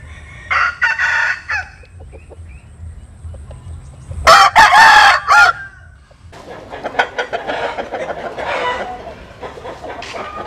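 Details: Chicken crowing at dawn while birds sun themselves in the morning; a single loud, harmonic crow about one second long stands out midway, flanked by shorter clucking bursts and a busy stretch of mixed calls afterwards.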